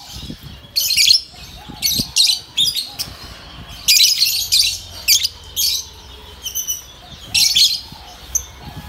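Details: A yellow pet lovebird singing and chirping gives bursts of sharp, high, buzzy chirps and squeaks, roughly one or two a second, with short quiet gaps between.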